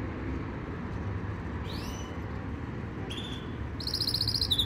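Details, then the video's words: A Yorkshire canary sings a rising whistled slur, a brief clear note, then a fast rolling trill of high notes, over a steady low rumble. "Most powerful Canary song | Rasmi Yorkshire canary song | best Canary training song"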